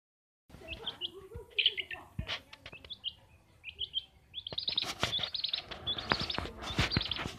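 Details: Long-tailed shrike kept as a household pet bird, singing actively: clusters of sharp high chirps and short chattered notes, bursts of clicks and knocks, with low murmuring sounds beneath early on.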